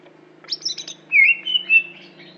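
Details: Greater green leafbird from Aceh, a kept songbird: a burst of high chattering notes followed by long clear whistled phrases holding steady, with a faint low mechanical hum underneath.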